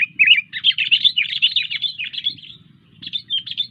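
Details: Sooty-headed bulbul singing energetically, a long continuous run of fast chattering, warbled notes, a brief pause, then a shorter burst, over a low steady hum.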